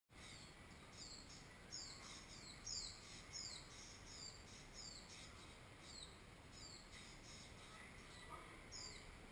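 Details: A fallen baby oriental white-eye, kept in a cage, is fed by its wild parents. Thin, high, downslurred chirps repeat steadily about every half second over a hiss of background noise, with faint other chirps.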